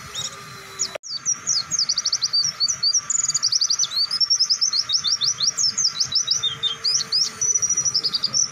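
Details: White-eye training song from a captive bird, used to teach other birds: after a brief break near the start, a long unbroken stream of fast high whistles, quick slurred chirps and short trills, with a faint steady hum beneath.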